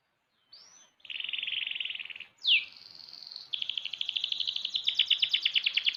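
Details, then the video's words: Six-month-old young canary singing fluently: a rolling buzzy trill at mid-high pitch, an upward sweep, then a steady series of rapid bright notes quickening into a pulsed, rattling phrase. "KENARI MUDA GACOR//Kenari umur 6 bulan udah kayak gini !!"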